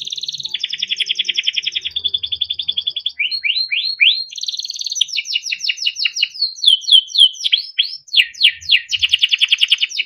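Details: Melodic song of a yellow Timbrado canary: a long rolling trill gives way to upward sweeping notes, then quick repeated chirps and slurred phrases, steady and high-pitched throughout, with faint low background hum.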